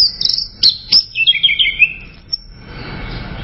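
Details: Orange-headed thrush singing: a quick run of clear, high whistled notes, some sliding and some trilled, packed into about two seconds before a faint hiss of background noise.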